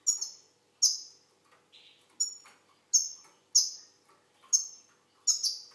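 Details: Algerian goldfinch delivering clipped, high, bright notes about every half second to second, with one brief lower buzzy note between; quiet surroundings.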